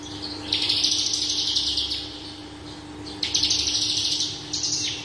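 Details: Horsfield's bush lark (Mirafra javanica parva), lively 'gacor' song full of varied 'isian' phrases, used as training material: two long dense bursts of high, rapid chattering and buzzy trills with a brief pause, over a steady low hum.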